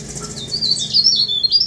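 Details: Short snatch of song from a tame leaf warbler: thin, high, sliding notes run together in a quick, uneven twitter.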